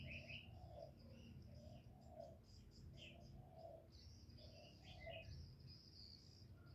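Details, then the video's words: Cooing of a spotted dove in the Vietnamese 'giọng thổ' style, calls used to stir up male doves: rounded low coo phrases repeated about once a second, over a background of thin high chirping from other birds. "Cu gáy GỌI+THÚC+GÙ hạp bổi kích trống hiệu quả, Cu Gáy giọng thổ, tiếng cu đất.cườm gáy, cu đất gáy"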